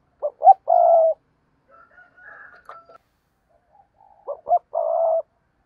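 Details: Decoy spotted dove cooing: two phrases of short clipped notes ending in a long, low, even croon, separated by a quiet gap with faint higher chirps.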